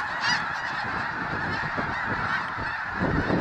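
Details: Low-flying snow geese from a spooked flock of over 20,000 at a refuge: a thick chorus of overlapping honks, with low rushing, whooshing noise, likely wingbeats, underneath.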